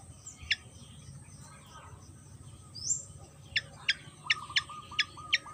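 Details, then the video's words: Javan fantail, a fan-tailed insect eater of Java, uttering a few scattered sharp chips that quicken into a short burst near the end, against constant background hiss and a low repeated trill. "burung SIKATAN JAWA//SIKATAN KIPAS gacor"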